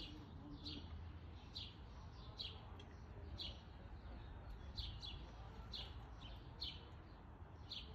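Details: A black-capped chickadee at a backyard bird feeder in Calgary, Alberta, at 12:05 pm on July 6, 2021, gives short, high, thin call notes about once a second over a steady low rumble of background noise.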